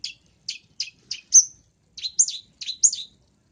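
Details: Long-tailed shrike sound for luring: a rapid run of short sharp chirps, then varied twittering, warbled notes rising and falling, on an otherwise silent background.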